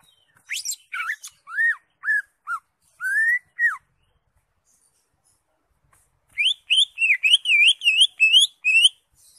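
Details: Greater green leafbird in a lively, chattering song: clear whistled notes, some sweeping down, then a fast run of wavering, warbled notes repeated about three times a second, with a pause between the two phrases.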